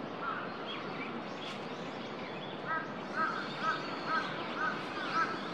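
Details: Eurasian coot calling on Shinobazu Pond, Ueno, on 10 December 2021. Clipped, hoarse notes come in a steady series about twice per second in the second half, over a continuous low urban rumble with faint high chirps from other birds.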